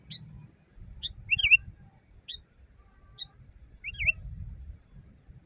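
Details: Sooty-headed bulbul recorded in the wild as a training song for caged birds: short, bubbly, rising-and-falling whistled phrases spaced about a second apart, with a low rumbling hum underneath.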